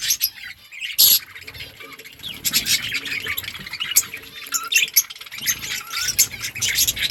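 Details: Several budgerigars chirp to each other, giving a busy flow of short high chirps and warbled notes with brief pauses, plus a sharp squawk near the start and faint low background noise.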